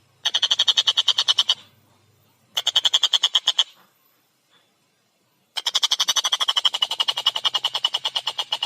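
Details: Collared kingfisher in full, clear, rapid song: three bursts of harsh, chattering notes fired about eight to ten per second, a short one, another short one, then a longer run after a pause.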